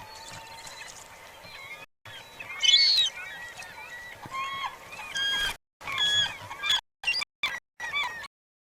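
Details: A juvenile glaucous-winged gull gives thin, high, whistled begging calls, repeated in short overlapping bursts, with other gull calls and a soft background murmur; recorded by rangers at Katmai's lower river on 23 September, near a feeding bear, with one adult and two juveniles.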